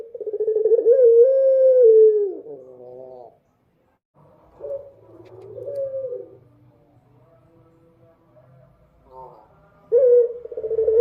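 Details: Dove singing at night, giving drawn-out, steady low coos that bend down at the ends, separated by softer murmuring notes and short pauses.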